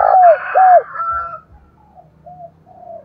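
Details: Spotted dove used as a decoy, cooing in thổ đồng style to call wild birds; two loud hooked coos lead off, followed by a fading rough crow-like sound and soft trailing coos.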